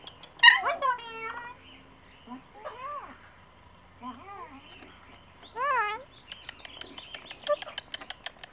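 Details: A young domestic-raised bonded pair of long-billed (slender-billed) corellas at their nest in Palos Verdes, California: nasal, wavering calls rising and falling in bursts a second or two apart, then dry clicking and scratching; a voice speaks briefly.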